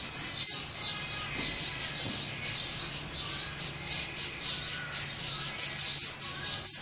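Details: Nestling saffron finches begging while being fed in the nest: a continuous run of hissy, high chirps, several each second, broken by a few piercing short squeaks, over a quiet low hum.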